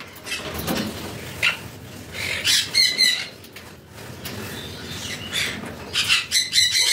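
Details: A red factor Jenday conure at a bird farm gives harsh, raspy screeches in short bursts, clustered near the start and end, with fluttering, rustling sounds between them.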